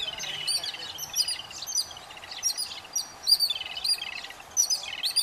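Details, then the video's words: Adult yellow-billed babblers feed chicks amid a noisy chorus of shrill chirps and nasal, stuttering rattles, bursts repeating roughly every second with several voices overlapping. "Babblers feed their chicks | Yellow Billed Babblers and chicks"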